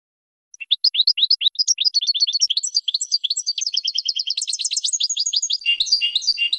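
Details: European goldfinch singing a training song for young birds, a long rapid run of bright, tinkling chirps and twitters that starts in separate notes and speeds into dense, buzzy, rolling trills.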